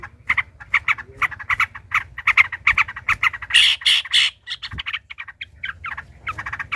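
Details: Rival yellow-vented bulbuls in a fighting bout, a lure for making other birds sing: rapid bubbly chatter, about three notes a second, with a louder harsh burst in the middle.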